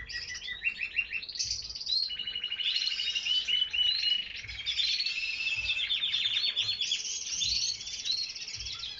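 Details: Several canaries in an aviary singing together, a dense stream of fast trills and chirps rising and falling without pause, faint low rumble underneath.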